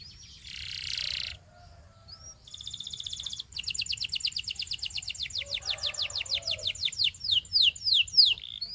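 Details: Belgian canary singing a varied phrase: a harsh buzzy burst, a fine rapid trill, then a long accelerating series of pulsed notes ending in loud downslurred whistles.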